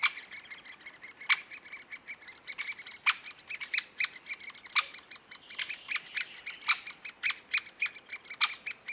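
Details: Great spotted woodpecker calls: a busy stream of short, sharp high ticks and chips, some loud and others faint, coming irregularly but growing denser toward the end.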